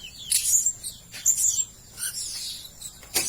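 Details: Blue-crowned hanging parrot lure sound: rapid, rough, very high-pitched chattering squeaks in uneven bursts, with a brief lower whistled note in the middle.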